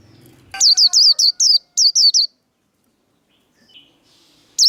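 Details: Fighting warble of a white-eye, the líu đấu style used to fire up other birds. After a low murmur, a rapid run of seven piercing, hooked high whistles plays, then quiet and one more note at the end.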